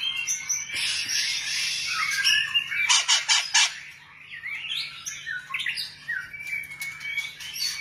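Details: White-rumped shama delivering harsh, buzzy chattering bursts mixed with rapid clicking notes, then clearer upward-sweeping whistles toward the end, with a low background hum.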